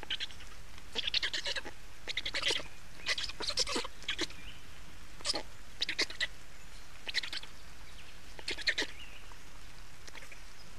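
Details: Black storks in Estonia at the nest during a changeover and feeding, 28 May 2019, afternoon: a series of short, broad, rasping bursts, some in quick clusters, spaced irregularly over a low rumbling background.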